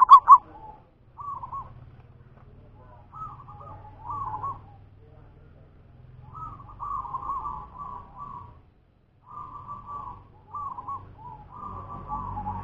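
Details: Local zebra dove of natural stock repeating short, soft bubbling coos, several in quick runs toward the end. A steady low rumble and hum runs underneath throughout.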